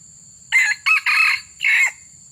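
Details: Crow of a wild junglefowl heard during a luring session. A single crow has four parts: two short clipped bursts, a longer harsh middle phrase, and a separate final note after a brief gap. The background is quiet apart from a faint low hum.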